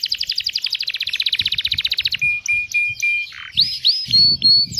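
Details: Singing canary with a long, ornate cengkok-style song and sharp tembakan bursts. A long rapid roll of repeated notes is followed by several level whistles, then rising, swooping whistled notes. Light low knocking sounds come from the background.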